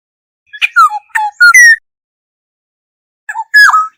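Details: Black-hooded oriole calling its flock, a recording used as a lure: one rich phrase of three or four whistled notes slurring downward, then a second phrase after about a second and a half of silence.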